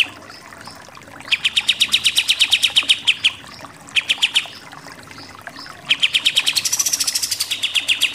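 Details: Pied triller song, nembak-nembak style: three bursts of quick, evenly spaced staccato notes separated by brief gaps, the last burst climbing into a thin, high-pitched rattle before dropping back.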